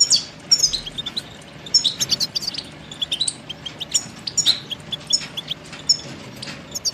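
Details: Goldfinch singing on a song tape for teaching young birds: rapid high twitters and sharp chirps in a steady tumbling flow, over a faint low background hiss.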